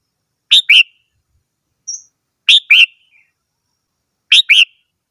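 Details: Red-whiskered bulbul repeating a crisp two-note whistled phrase three times at steady intervals of nearly two seconds, with a thin high squeak between the first two phrases.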